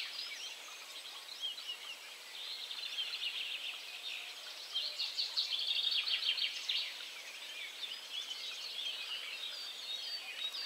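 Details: Red-backed shrike at Strobów, Poland, on 4 June 2017, giving a busy run of high, scratchy chirps and twittering notes, swelling in the middle then easing off, against a soft outdoor hiss.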